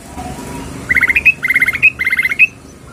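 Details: Sooty-headed bulbul female calling a male: three short bursts of rapid bubbly notes, each ending in a higher upslurred note, over a soft low hum.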